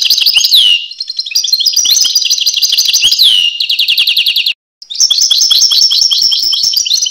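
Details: Rapid tinkling song of a European goldfinch: chattering runs of high notes with descending slurs, broken by a brief silence before a further dense twittering phrase.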